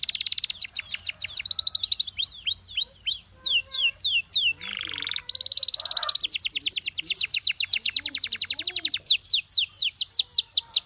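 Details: Canary song mixing fast trills and evenly repeated arched whistles, cut by a short harsh lower squawk midway. A long ringing rapid trill follows, and the clip ends with slurred notes.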